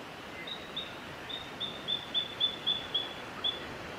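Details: Satin flycatcher recorded in Victoria, Australia, in January 2022: a series of about ten thin, high, clear piping notes, roughly evenly spaced, over steady background hiss.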